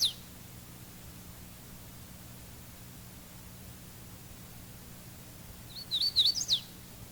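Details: Hooded warbler, a species spending much time on the ground, gives one short, quick whistled song of bright high notes, a-weet-a-weet-a-weetio with a jump in pitch in the third phrase, after a long quiet stretch with faint low hum.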